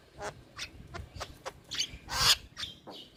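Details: Starling training recording for young birds: a string of harsh, scratchy squawks and short buzzy bursts, one loud rasping note near the end.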